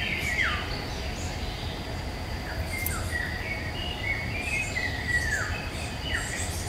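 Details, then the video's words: Eurasian golden oriole in woodland, May 2021, recorded with a Nikon Coolpix P1000: repeated flute-like whistles, many curving downward, delivered in a lively string of short phrases, with faint insect-like buzzing and a low background hum. "Il canto del rigogolo (Oriolus oriolus) nei boschi"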